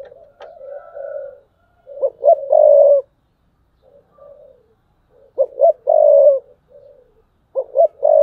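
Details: Spotted dove, a decoy bird, calling thúc bổi style in 2022: three loud phrases, each two clipped coos and a long rough coo, separated by quieter, low murmured coos.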